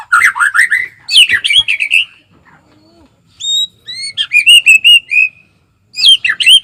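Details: White-rumped shama (murai batu) singing varied phrases: rich rising whistles, clear high sliding notes and a rapid repeated whistled series, with short silent gaps between bursts.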